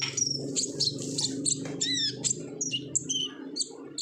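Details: Olive-backed sunbird in lively chattering song, used as a lure recording to get other sunbirds singing: rapid high thin chirps, whistles and downslurred notes in quick series, over a low steady hum.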